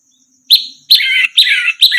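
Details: Orange-headed thrush song used to train other birds to sing: after a short pause, a sharp bright note followed by three drawn-out, rasping, down-slurred notes, each loud and slightly hoarse, with a thin steady high hum in the background.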